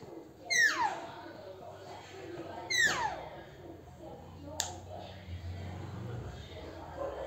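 A rose-ringed parakeet gives two harsh, downward-sliding squawks about two seconds apart, followed by a sharp knock against a hum of indoor room noise.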